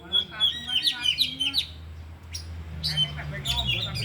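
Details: Oriental magpie-robins, four birds, in an afternoon training session, all singing. Sharp whistled notes and chirps come in rapid bursts for about a second and a half, then scattered chirps follow after a pause, over a steady low hum.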